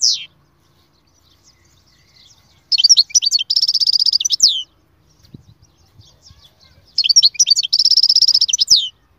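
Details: Goldfinch song in two bursts several seconds apart, each made of twittering notes merging into a fast, dense, buzzy trill. Quiet stretches come between the bursts.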